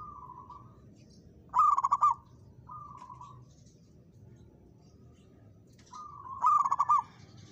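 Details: Local zebra dove, a caged perkutut, challenging a rival by singing: low soft coos near one kilohertz, then a louder rolling, stuttered coo phrase, repeated twice in the clip over faint background hum.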